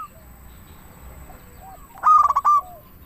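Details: Zebra dove (perkutut), local bird, singing as a lure to prompt doves to call: after quiet faint cooing, one loud short phrase of rapid pulsed notes ending in a sustained note.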